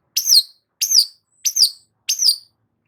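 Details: Long-tailed shrike singing to stimulate stressed cendet: four identical sharp, high notes that spike then slur downward with a buzzy tail, repeated roughly every two-thirds of a second, nothing else heard.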